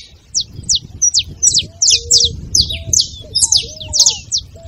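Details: High, clipped chirps from a saffron finch tumbling into doubled and tripled notes, intended to rouse a quiet canary; gentle lower whistles and faint background murmur.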